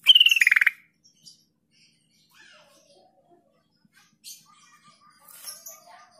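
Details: Sooty-headed bulbul sound used as a lure for mute caught birds: the clip opens with a rapid pulsed phrase that falls in pitch and ends in a rough burst, then scattered soft chirps and quiet.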